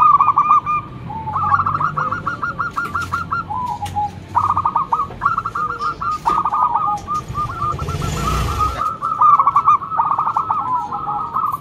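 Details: Loud-voiced local zebra dove used for luring other doves, giving long chains of fast stuttering coos in repeated phrases, with a brief rush of broadband noise partway through.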